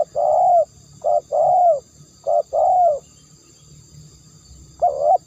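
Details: Spotted dove cooing: a long, mellow opening coo, then short-long pairs of soft notes, a gap, and one more coo. Low murmuring noise sits underneath.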